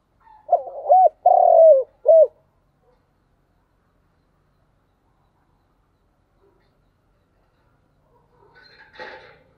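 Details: Spotted dove thúc gù coo: one stuttering, arched and long buzzy falling phrase ending in a short coo. A long pause follows, then a brief scuffling noise at the end.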